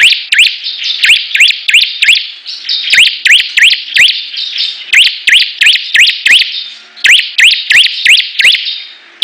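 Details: Several bar-winged prinias competing in full song: long runs of fast rising, snapping notes, around three a second, grouped in bursts with short pauses, over a constant shrill twittering layer.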